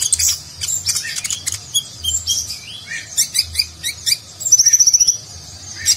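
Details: Konin sunbird singing a full nagen-style song meant to tutor contest birds: mixed chirps and whistles, then a fast even trill of about ten high ticking notes near the end.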